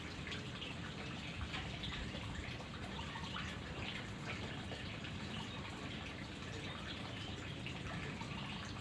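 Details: Steady gushing water fills a small room, like a tap or spray running without a break.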